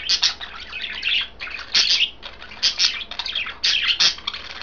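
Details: Chirping from three pet budgerigars eating kale, heard as loud clustered bursts of raspy, high twittering separated by brief quieter gaps.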